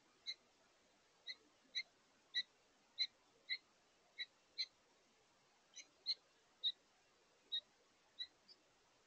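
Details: House finch pair feeding at a bird feeder late in the day, keeping in contact: a steady run of brief, high, clipped chirps spaced roughly half a second to a second apart, fifteen or so notes.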